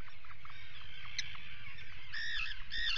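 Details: An Atlantic puffin on a burrow cam during an attack on the puffin Bucky, 19 July 2019, gives two harsh, nasal, drawn-out calls near the end, over a low rumble of wind or handling noise and fainter scratchy sounds.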